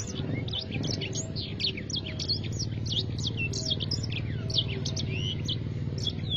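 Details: Black-throated canary in loud 'gacor' song, delivering a dense, continuous stream of sharp high chirps and quick rising and falling whistles above a constant low droning hum.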